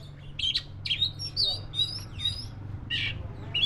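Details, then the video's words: Black-breasted white-rumped shama delivering a fast run of harsh chattering notes mixed with short whistles, phrases packed closely with little pause, low hum underneath. "SUARA BURUNG KACER (DADA HITAM)"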